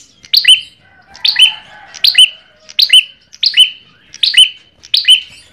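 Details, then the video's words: Ashy tailorbird sings a sharp, high, chipping phrase with a ringing whistle, repeated about every three-quarters of a second, seven times over; recording used as a lure call. "perenjak kepala merah"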